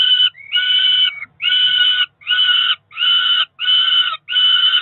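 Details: Peregrine falcon chicks, two ringed nestlings about four weeks old on a Cromer nest in June, keep calling for food: seven grating, wailing screams in quick succession, some with a rising whine at the start.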